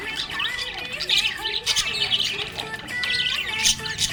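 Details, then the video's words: Happy budgerigar chirping: dense, rapid bursts of high twittering chirps and short squawks, overlapping almost without pause, with soft tonal music notes sustained faintly beneath. "Happy budgie chirping sound"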